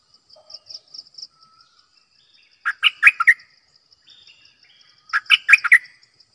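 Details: Caged decoy bulbul repeating a bubbly, chortling phrase of five or six liquid notes twice, about two and a half seconds apart, with soft chirps between and a steady high insect-like pulsing throughout.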